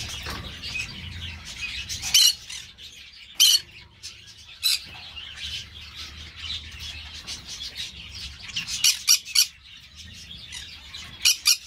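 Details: Captive green-cheeked parakeets at an amateur breeder's: sharp, raspy squawks scattered through the recording, with a cluster of rapid shrieks toward the end and quieter twittering chatter between them.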